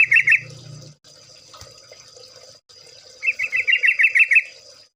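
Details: Yellow-vented bulbul (trucukan) in ropel style, a lure recording of gacor birds from an ombyokan. A short fast trill opens over a low hum. After a gap comes a longer, even run of rapid, clipped, buzzy notes at a steady middle pitch.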